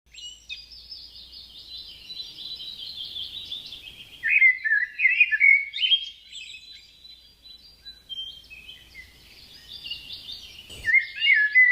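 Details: Birds singing in a garden: a steady, high twittering warble runs throughout, with louder, slurred, descending phrases breaking in midway and again near the end, plus a brief sharp click shortly before the close.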